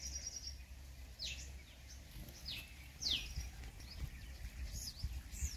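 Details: Purple sunbird in Ranthambore National Park, Rajasthan, India: sharp, high notes that sweep steeply downward, given one after another about once a second over a low rumbling background.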